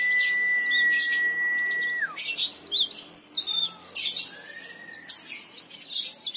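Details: Leaf warbler in full song, recorded as a lure for other leaf warblers; a long flat steady whistle that drops at its end, followed by sharp high chattering bursts and brief thin slurs.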